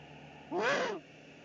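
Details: Eurasian eagle-owl in the Eifel on 13 March 2019, male bringing supper, probably a pigeon, to the female at the nest; a single half-second harsh, wavering rasp over faint hum.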